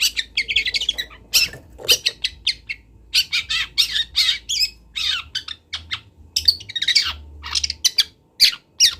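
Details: Local long-tailed shrike from Kendal, used as a training recording for young birds, sings a busy medley of harsh squawks and scratchy chirps in short bursts, dense and varied, with a faint low hum underneath.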